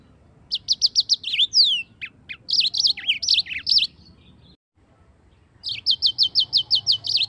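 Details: Yellow-fronted canary in full song, played as a master for training other birds: fast repeated high chirps, downslurred whistles and warbled phrases, a short silent gap, then another evenly paced run of bright repeated notes.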